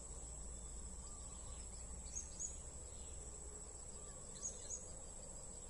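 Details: Blue-crowned hanging parrot recorded while trapping birds, giving two quick pairs of sharp, high-pitched chirps, about two seconds apart, against continuous buzzing insects.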